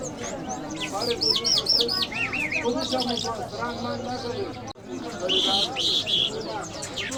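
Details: Lark of Iranian stock, called jal, Mashhadi mast song style: a run of fast repeated arched notes, then lower trilled figures and clear whistles after a brief break, over background music.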